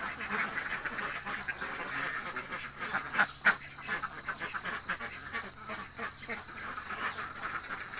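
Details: Village ducks, described as very hungry, give a busy stream of overlapping quacks. A few sharper, louder calls stand out near the middle above the steady background chatter of the flock.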